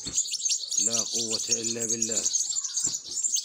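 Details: Begging European goldfinch chicks at feeding time give a steady wash of high, thin chirping throughout, while a low human voice speaks briefly partway through.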